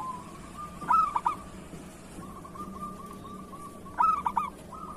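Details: Local zebra dove singing for use as a tutor: two loud stuttering whistled phrases three seconds apart, with rapid level trills running between them.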